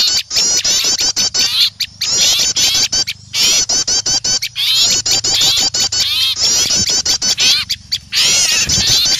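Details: Small birds in a noisy alarm chorus at the sight of an owl, for luring: rapid shrill chips and wavering twitters in long bursts, over a faint low steady hum.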